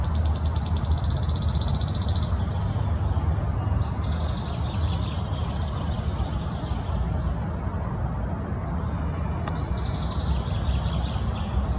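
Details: [['Wood warbler ending its song with a loud, fast, high shivering trill lasting about two seconds, followed by fainter high ticking phrases and low background rumble.']]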